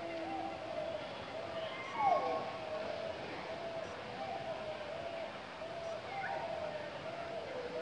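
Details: A common hill myna (Gracula religiosa) at Buxa Fort, Buxa Tiger Reserve area, Alipurduar, West Bengal, India, in January 2018, gives low, voice-like warbling phrases broken by a sharp, falling whistle.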